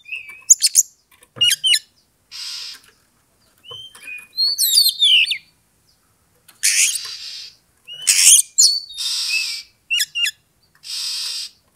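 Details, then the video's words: Kacer, the Oriental magpie-robin, singing a bait phrase that slowly builds a rival's aggression toward fighting and display. Rich mix of piercing whistles, tumbling slurred notes and sharp clicks, broken by several harsh buzzy rasps of about half a second. "pancingan kacer EMOSI NAIK PELAN - PELAN"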